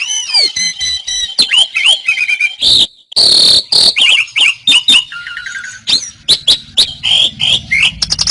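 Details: Asian pied starling (Jalak Suren) song used as a master recording for training songbirds: a loud, varied medley of whistled slurs, rising and falling notes, harsh buzzy bursts and rapid clicking trills, with brief pauses.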